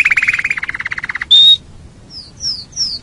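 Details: Canary song used for training songbirds: a fast rattling trill of evenly repeated notes, a sharp bright whistle, then pauses broken by short rising whistled slurs.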